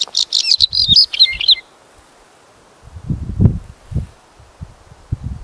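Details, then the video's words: A Bluethroat gives a quick burst of high, varied twittering and chirped notes lasting under two seconds, followed by low thumps and knocking. "Suara Burung Bluethroat Gacor"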